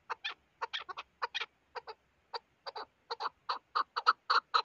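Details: Chukar partridge calling with irregular clucks, single and paired, spaced out at first and then coming faster and louder in the final seconds.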